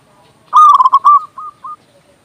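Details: Local zebra dove (perkutut) with a loud, big voice, singing actively, used as a master recording to lure doves and prompt quiet or stressed birds to sing; a quick stuttered cluster of rolling tonal coos, then two short separate coos, then quiet.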